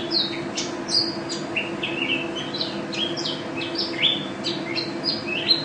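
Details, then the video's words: National champion pleci, Mountain white-eye, singing nonstop 'gacor' song with 'teler' and 'ropel' phrasing: busy high chirping and swooping whistles in rapid succession, a low hum running throughout. "Pleci Juara 1 Nasional pleci Gacor juara nasional teler gacor ropel pleci"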